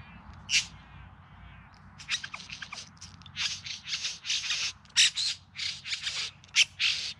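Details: Male bowerbird singing during courtship display, Yarra Valley outside Melbourne, September 2020: after a lone harsh note, a quickening string of scratchy, buzzy bursts pours out, loud and uneven, with short gaps between.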